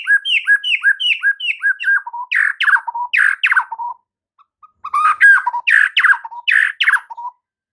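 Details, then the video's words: White-rumped shama master song for rousing silent birds to sing and turn aggressive: a quick series of repeated downslurred whistles, then louder harsh chattering notes in two bursts. "MASTERAN Murai Batu MANDEK & BISU seketika jadi NARUNG plus NGAMUK mendengarnya"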